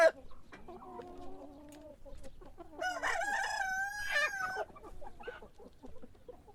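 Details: Morning crowing from a rooster heard at moderate distance, a wavering harmonic cry of under two seconds, preceded by low clucking calls and accompanied by background farmyard noise.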